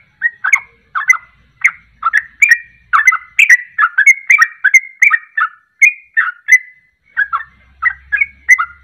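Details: Sooty-headed bulbul delivering fast repeated ropelan song, a lure to make other birds sing along: steady series of bright, slurred whistled phrases, roughly two to three per second, with no break.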